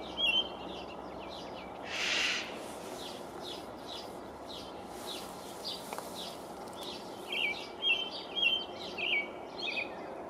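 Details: Male American robin on a pine treetop, 5/6/19, singing territorially: a few whistled phrases at the start, a broadband rushing burst, a quieter stretch, then clear caroling phrases return toward the end.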